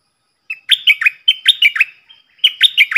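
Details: Captive stripe-throated bulbul singing the loud, clear 'phleng boen' decoy song used for young birds and wild birds: a continuous string of bubbly, down-slurred whistled phrases with barely a break.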